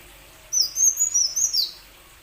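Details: Plain sunbird song, used to prompt other sunbirds that are reluctant to sing: a brief phrase of high, thin, sharp whistled notes with quick up-and-down slurs, about five notes in just over a second, over a quiet background.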